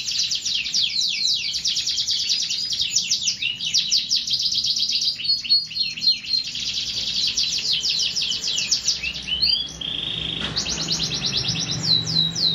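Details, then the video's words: Singing canary delivering long, fast, even trills of high chirping notes, shifting into a sustained steady whistle and then rapid falling notes near the end. "٣٠ دقيقة تغريد مستمر ورائع مهما كان نوع الكناري خاصتك سيبدء بالتغريد"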